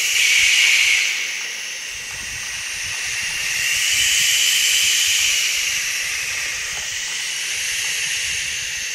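A barn owl gives long, breathy, broadband hisses that swell and fade over several seconds, with no other clear sounds.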